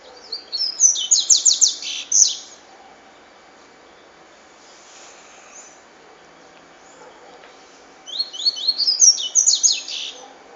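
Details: Cachoeira song of the double-collared seedeater, delivered twice: rapid strings of sharp, high, descending buzzy notes, with about five seconds of near silence between the bursts.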